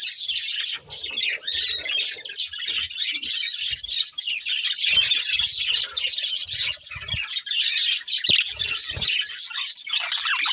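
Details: Budgerigars, a breeding pair, chirping while eating: dense, continuous high warbling chatter with rapid squeaky notes, steady throughout with brief dips.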